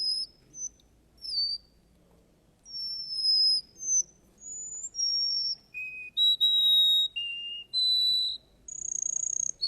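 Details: Russian canary singing at a bird contest: a run of clear, high whistled notes, some held steady, some sliding down, varying in pitch, closing with a fast buzzy trill over a quiet background.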